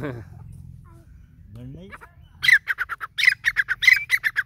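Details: Grey francolin: after two quiet seconds, a loud harsh series of rapid, scratchy notes begins, grouped into repeated phrases, each opening with a brief whistled note. The background is otherwise still.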